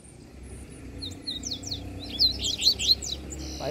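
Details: A caged double-collared seedeater set on a stake during an outing in the bush gives a run of quick, high, sharp twittering notes, repeated rapidly, over steady low outdoor rumble and faint voices.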